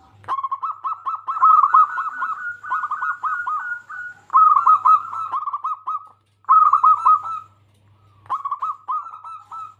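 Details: Local Indonesian zebra dove, a persistent singer used to lure other zebra doves into singing: bursts of rapid, bubbling cooing notes at a steady mid pitch, separated by short pauses, with a faint low hum behind.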